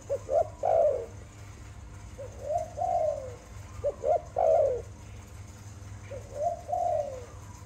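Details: Malay dove, a pet bird, singing: two or three clipped introductory notes lead into a drawn-out, rolling coo that rises then slides down, the phrase returning about every two to three seconds.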